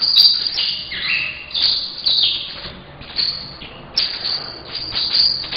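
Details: Eight-month-old saffron finch kept in captivity, plumage now all yellow, giving early song: sharp high chips, brief slurred whistles and dense twittering bursts in loose phrases with short pauses between.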